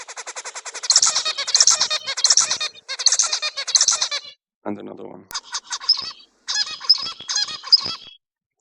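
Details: Zebra finch song, another individual shown to illustrate song diversity in a talk on song learning. Rapid repeated buzzy, nasal syllables with bright high notes come in quick bursts.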